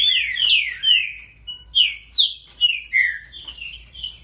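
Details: Great-billed seed finch singing: clear slurred whistles sliding down between high and mid pitch, then a run of short rising-falling notes about twice a second, with faint low hum behind.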